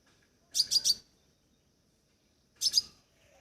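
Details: Two brief groups of three sharp, high chirps from a crimson sunbird, about two seconds apart, over a faint low background murmur.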